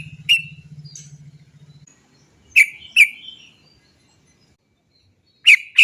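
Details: Sooty-headed bulbul (trucuk) used as a lure to make trucuk birds sing: scattered single and paired sharp 'cok' notes, with a steady low hum in the first two seconds.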